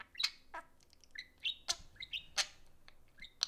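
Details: Pet budgerigars, a pair playing indoors, trading sharp squeaky chirps and short whistled warbles at an irregular pace.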